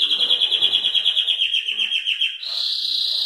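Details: Salsa-type Belgian canary in early-morning song, giving a fast pulsing rolled trill of about six beats per second that switches abruptly into a higher, continuous buzzy roll.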